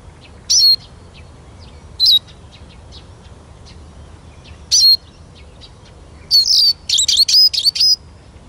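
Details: Eurasian siskin with scattered high twittering notes that quicken toward the end into a rapid run of bright, wavering chirps.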